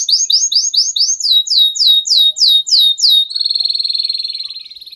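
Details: Canary song played to get juvenile canaries singing: repeated short chirping notes, then louder downslurred whistles, finishing with a long, even trill that fades away.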